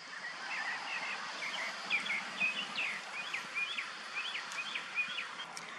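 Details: A young wild bald eagle, perched in a pine tree waiting for its parents to bring food and scratching an itch, gives thin, high chirps and short rising-falling whistles in a quick, uneven series over a steady hiss of outdoor noise.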